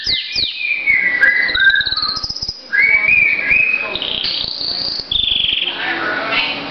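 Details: Caged pet canary in full song, a varied run of whistled notes sliding up and down, rolling warbles and short high rising phrases, loud and continuous.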